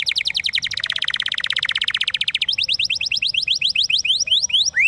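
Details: Canary singing a long, shrill gacor song: a rapid run of bright, sharply rising chirped notes, then a faster, higher trill of clipped whistles, with a few brief upward slides near the end and a faint low hum behind.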